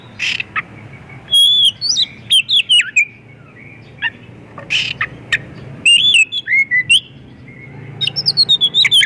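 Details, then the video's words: Lure song of an Oriental magpie-robin, full of varied filler phrases, used to set other magpie-robins singing; harsh buzzy bursts alternate with runs of sweet, dropping whistles, closing in a rapid rising-falling series of bright notes. "Kacer gacor full isian pancingan burung Kacer"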